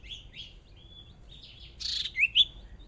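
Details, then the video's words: Hwamei decoy bird during a fierce singing contest, first practice in a small cage: varied buzzy and whistled phrases, a harsh noisy burst, then two loud rising-and-falling whistles. "Chim Huýt Cô Mồi Mới Lên Lần Đầu Dợt Lụp Nhỏ Đấu Căng Lửa Thật"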